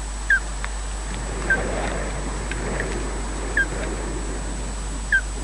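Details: Osprey calling at the Loch Garten nest, Scotland, as one adult slowly takes over from the other: four brief downward-slurred chirps at irregular intervals over a soft rumbling background with faint clicks.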